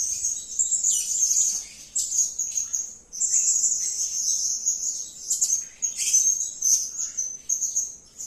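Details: Blue-crowned hanging parrot calling energetically: a continuous run of very high, thin, shrill chirps and twitters, packed in rapid bursts with brief pauses between phrases.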